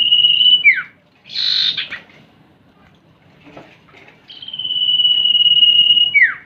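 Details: Common iora, female and male calls combined, used as a lure for young birds: a long steady high whistle ending in a quick downward slur, a short burst of chatter, then another drawn-out whistle with the same falling end.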